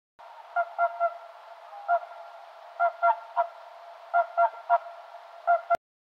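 A swan gives nasal, trumpeting honks in uneven clusters, about a dozen in five seconds, over a steady soft hiss.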